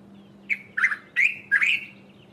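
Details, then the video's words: A Dark-capped Bulbul calls from a treetop early in the morning: four quick, liquid chirps, rich and slightly rising, about a third of a second apart, over a faint steady hum. "Dark capped Bulbul call"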